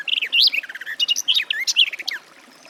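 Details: Garden warbler (Sylvia borin) pours out a hurried, mellow warble of tumbling, up-and-down notes for about two seconds, then falls silent.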